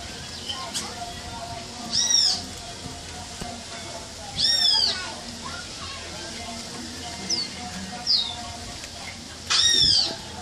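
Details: Bird whistling, recorded 2018: loud, high, clear whistled notes arching downward, repeated at uneven intervals about every two to five seconds, with a few softer, shorter whistles in between over a faint background hiss.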